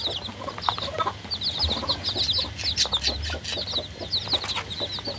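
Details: Several baby chickens peeping, short high chirps in quick irregular bursts, over faint background noise and light tapping.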